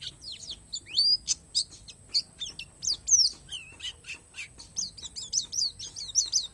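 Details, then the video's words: Isian alam singing from a palas Borneo Oriental white-eye: mixed high whistles, rising and falling slurs and a few lower notes, then a fast repeated string of sharp downslurred chirps at the close. "SUARA PLECI PALAS BORNEO"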